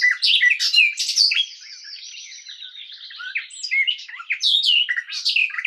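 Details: Song of a garden warbler: a hurried stream of mellow, scratchy warbled notes, loud at the start, dropping to a quieter rambling murmur for a couple of seconds, then rising again into strong varied phrases.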